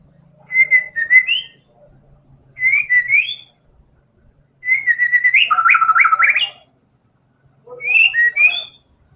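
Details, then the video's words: Vigorously singing white-rumped shama delivering imitated isian material: four separate phrases of fast stuttered notes and rising whistles, one ending in a rapid sequence of steep slurs, over a faint low hum. "MURAI BATU GACOR‼️FULL BONGKAR SEMUA MATERI ISIAN"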